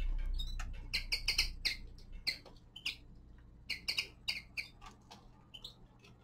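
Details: Common linnet, a young male, winter song: bright twittered chirps delivered in quick clusters, pausing briefly between groups, high and slightly buzzy, over a soft low hum that fades after the first second.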